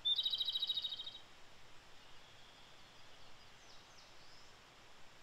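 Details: Japanese robin (Erithacus akahige), wild in Japan in early May, sings one loud rapid trilled phrase of about a second, high and clicking-rattled after a sharp opening note, then softer distant bird notes over steady background hiss.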